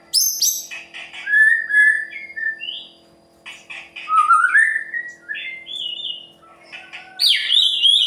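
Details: White-rumped shama singing actively, meant to provoke other birds into singing. Clear slurred whistles rising and falling in separate phrases with short pauses, ending with high sharp notes.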